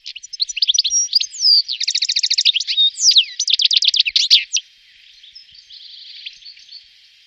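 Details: A European goldfinch in Wittlich, Germany, in 2018, gives a quick, high, tinkling twitter of varied notes, with fast liquid trills and buzzy rattles, then fades to a softer twitter.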